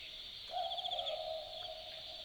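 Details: Australian Boobook calling at night in the Australian bush, the typical two-note 'boo-book'; one clear low hoot, slightly stepped, sounds at half a second against continuous high-pitched insect buzzing.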